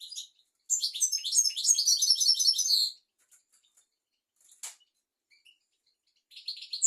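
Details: European goldfinch singing as a tutor for young goldfinches and canaries: a fast, two-second run of bright twittering and tinkling notes, then scattered soft chips, a sharp click and another twittering burst.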